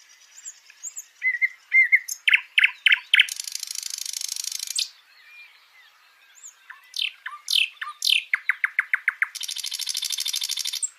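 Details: A live nightingale sings varied phrases: soft high whistles, then loud repeated notes near two seconds apart, a long buzzy broadband trill, a pause, and another series of rapid repeated notes ending in a dense rattling trill.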